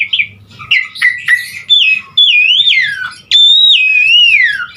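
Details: Asian pied starling in gacor full isian song used as a lure for starlings: clear whistled phrases that swoop and wander, ending in two long sliding whistles that rise then fall away, loud and clean.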